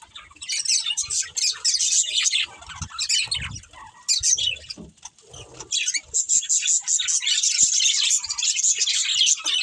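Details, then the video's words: Breeding pair of budgerigars chirping in bursts of high, scratchy warbled chatter, broken by short pauses around four and five seconds, with faint low knocks beneath. "Beautiful Budgies Chirping Sounds"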